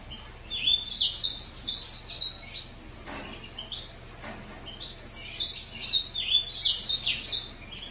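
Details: Green singer finch delivering two bursts of rapid, jumbled high twittering and warbled notes, separated by a short lull with faint background sound.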